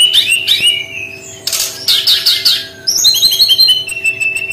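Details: Brown-chested jungle flycatcher song in a distinctive style: slurred whistled notes, harsh scratchy bursts, then a long run of quick repeated high notes that gradually fall in pitch.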